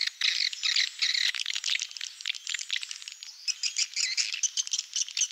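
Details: Swiftlet lure sound, Malaysian style, played for swiftlet farming in Indonesia: busy bursts of high chittering twitters, pulsing in short clusters that grow choppier in the second half, with no other sounds.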